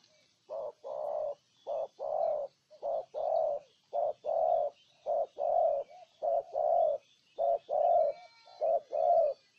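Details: Spotted dove in Ninh Thuận, Vietnam, giving a steady run of low coos, roughly nine two-part phrases of a brief note then a longer one, evenly paced, with faint distant bird twitter above.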